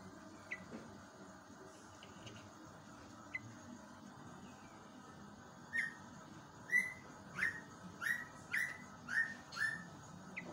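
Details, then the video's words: Wild yellow-vented bulbul song in the morning, used as a tutor recording for captive birds: a run of about eight short, bubbly whistled notes at roughly two per second after a few scattered chirps, over steady background hiss. "JOGJOG/TRUCUK ROPELAN"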